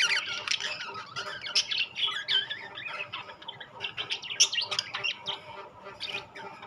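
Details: Budgerigars, a mix of rainbow and classic colour varieties, chattering continuously: busy warbling, squeaky twitters and short squawks overlapping from several birds, high-pitched and irregular throughout.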